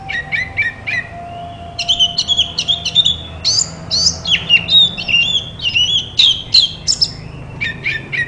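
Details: Therapy song of an Oriental magpie-robin meant to prompt a quiet bird into replying: short repeated chirps, then a rich tumbling stream of bright whistled notes and harsh squeaks, with a faint steady hum beneath.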